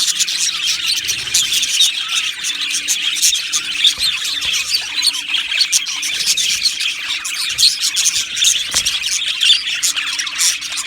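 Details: Aviary budgie colony of Australian parrots chattering together, many overlapping bright chirps, squeaks and warbled twitters forming an unbroken high-pitched babble throughout.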